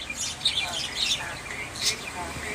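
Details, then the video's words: Myna bird talking in a raspy, high-pitched voice: a string of quick chirpy, word-like syllables with breathy noise bursts, fairly loud and close. "myna bird speaking"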